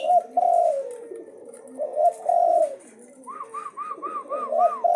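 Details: Asian pied starling in nonstop challenging song: mellow, slurred low whistles and gurgles, then a run of six quick, evenly spaced arched whistled notes, over faint background hiss.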